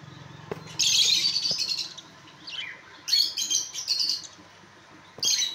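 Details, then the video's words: Many budgerigars giving bursts of scratchy, high chirping chatter in three noisy spells, with a low hum underneath at the start. "কতো বদ্রিপাখি"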